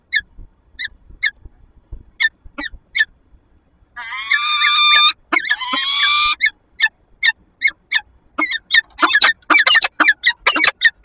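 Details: Peregrine falcons at a nest box in Lublin on 15 February 2022, the female interacting with her mate, recorded by nest camera: spaced chips, two long whining wails, then a fast excited run of chattering notes.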